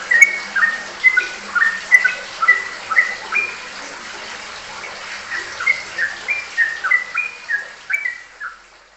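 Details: Sooty-headed bulbul singing ropelan: two bursts of quick, repeated whistled phrases, level notes dropping to lower slurs, with a quieter gap between them.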